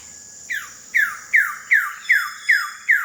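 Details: Wilson's bird-of-paradise in West Papua, recorded between late July and mid-August: a regular run of seven loud, downward-slurred notes, each dropping sharply in pitch, repeated roughly every half second over a steady high insect hum.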